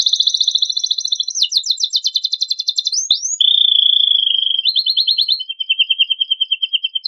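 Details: Canary singing a rich fill song meant to get untrained birds singing: a continuous high trill, rapid staccato rattling, two rising slurs, then long steady whistled and pulsing trills at lower pitch.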